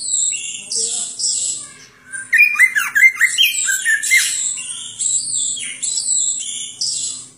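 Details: Greater green leafbird song, a varied isian-style medley: buzzy high notes, then a run of short falling whistles around the middle, followed by more harsh scratchy phrases; a faint steady hum underneath.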